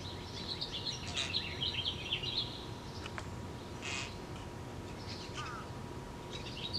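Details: A European starling returning with a worm gives a burst of harsh chattering notes over the first two seconds, then scattered rasping bursts, over steady background rumble and a faint hum.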